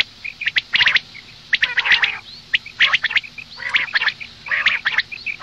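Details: Female common quail calling for the morning. Dense runs of scratchy clicking notes come in short bursts roughly every second, with soft high pips in the gaps.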